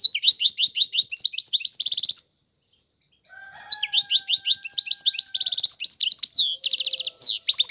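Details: Lively European goldfinch song: repeated twittering notes close with a buzzy trill, then after a brief silence a longer passage of chattering phrases and rattles. Faint sustained whistles sit in the background.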